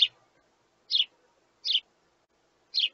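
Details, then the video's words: Begging sparrow chicks asking their parents for food, giving four bright, high chirps, each slightly doubled, spaced at intervals of under a second against near silence. "Baby Sparrow Wants More"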